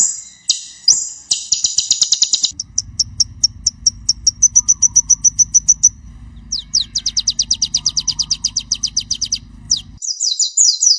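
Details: Ruby-cheeked sunbird (kolibri ninja) in full, varied song, recorded to tutor young songbirds: shrill rapid chattering trills, a long even series of thin high notes, then more fast trills, over a low steady hum in the middle.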